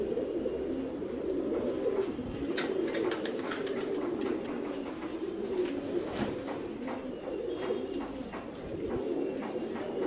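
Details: Fancy pigeons in a cage coo in low, throaty, overlapping rolls, with a few sharp clicks and wing flutters.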